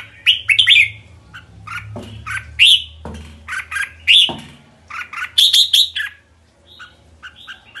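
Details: Red-whiskered bulbul giving its kekek call: loud, harsh chattering bursts of rapid notes in clusters, some squeaky rising notes, with short gaps between phrases and a low hum beneath.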